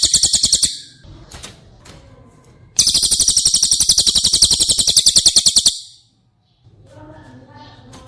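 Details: Cililin, recorded as training audio for caged White-rumped Shamas. Bursts of a loud, high, buzzy trill with rapid regular pulses are separated by quieter gaps with faint chips and clicks.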